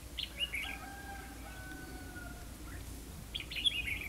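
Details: Red-whiskered bulbul being trapped at Hòa Mạc, Hà Nam, Vietnam: brief chirpy phrases at the start and end, with a drawn-out rooster crow in the middle and steady low background noise.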